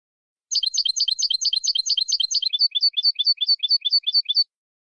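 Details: Canary singing Malagueño song for training: a steady rapid trill of repeated notes that shifts midway to a slightly slower, lighter series of chirped syllables.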